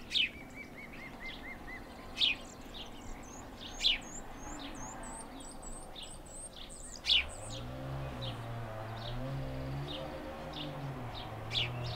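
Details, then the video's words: Male house sparrow chirping, abrupt sharp notes spaced every one to two seconds, while another bird sings a high, quick series of thin whistles; a low droning hum rises in the second half. "Vrabac pokućar / House sparrow / Passer domesticus (♂)"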